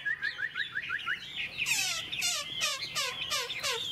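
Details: Tame caged Chinese hwamei singing in the morning sun after fresh food, about 20-30 minutes into its song: a series of rising whistled notes, then loud rich descending slurred phrases repeated quickly, with background noise.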